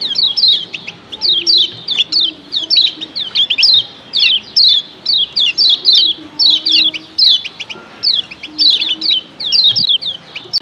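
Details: Kecial kuning, female and male calls combined to set other birds of the same kind calling: rapid bursts of sharp, descending high chirps, two to four notes per burst, repeated about twice a second, with faint low tonal hums beneath.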